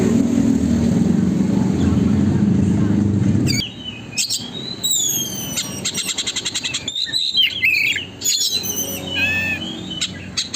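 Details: Oriental magpie-robin song used as a lure to make a magpie-robin open its tail: after low rumbling noise, fast ticking rattles, high drawn-out whistles and varied chirped phrases follow in quick succession.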